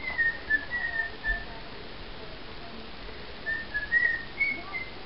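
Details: A pet cockatiel whistles to a larger companion bird to charm it rather than bite it: two short phrases of clear, wavering notes a few seconds apart over a faint hiss.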